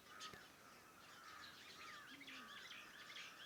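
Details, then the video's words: Morning birds near a farmhouse: a steady mid-pitched whistled call note repeats under a lively tangle of higher chirps and warbles, with one brief low note near the end. "Sounds of birds in the morning around my farm house"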